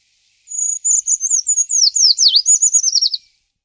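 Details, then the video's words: A single thin, very high-pitched Eurasian treecreeper phrase lasting under three seconds: a sustained opening note slips into rapid falling notes, dipping lower midway before a quick trilled finish, against a silent background. "głos „pełzacza leśnego”"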